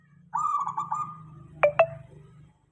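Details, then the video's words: Local zebra dove song meant to make other doves call back: a bubbling, pulsed cooing phrase drawn out into a level tone, interrupted by two sharp, bright clicks, with a steady low hum throughout. "Suara perkutut lokal"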